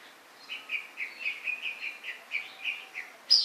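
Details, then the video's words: White-rumped shama giving a rapid series of about eleven short, similar mid-high notes, evenly spaced over three seconds, ending in a sharp higher burst; quiet background. "Murai. Batu"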